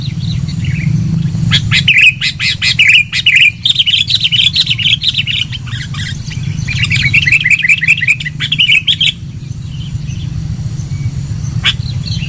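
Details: Loud, lively sooty-headed bulbul lure call: bursts of rapid, bright chattering notes from about two to nine seconds, with brief pauses, and a steady low hum throughout.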